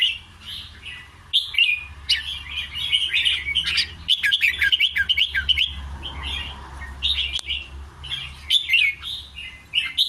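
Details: Song of a red-whiskered bulbul in the 'ble rik krajai' style: a quieter opening, then rapid chattering runs of clear, warbled notes. Soft clicks are heard, and a low hum sits under the song.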